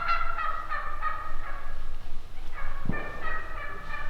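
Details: Drawn-out, harmonic turkey calls, somewhat sliding, with a soft thump partway through before the calling resumes.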